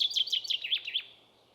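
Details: A common chaffinch, called forest-keeper in folk speech, gives a short burst of its spring-to-summer song: about eight quick, bright, slightly descending notes, then silence.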